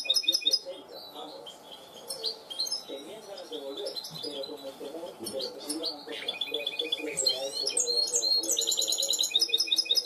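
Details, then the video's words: Educated goldfinch hybrid singing clean cante limpio song: varied twittering phrases, sweeping notes and fast repeated trills, intensifying in the second half, with low murmuring sounds in the background. "mixto de jilguero educado a cante limpio"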